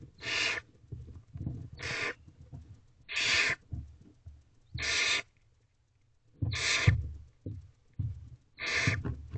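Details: Harsh, noisy barn owl hisses, six bursts of about half a second each, repeated roughly every one and a half seconds, inside a nest box after midnight on 19 April 2023 as the male delivers a rabbit, with soft thumping between.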